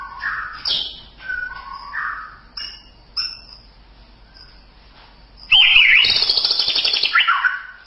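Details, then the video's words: White-rumped shama tutor (masteran) song. Clear, varied whistled phrases at shifting pitches, then a loud, rich burst of rapid chattering and trilled notes. "Masteran Suara Murai Batu"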